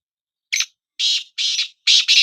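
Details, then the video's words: Black francolin, one of two birds set to call against each other: a brief clipped note, then three rasping, grating bursts, the last split into a doubled phrase, loud against a silent background. "Kala Teetar Bulai | Black Frankoline Voice| Bular | کالا تیتر کی آواز"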